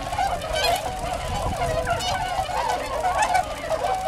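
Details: Tundra swans calling together, a dense flock chorus of nasal, honking notes that overlap continuously, with short bugled phrases rising above the murmur throughout.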